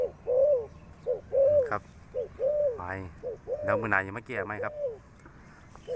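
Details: Spotted dove used as a decoy after a storm, outdoors: low, rounded coos repeated roughly once a second, with a man talking loudly over the later notes.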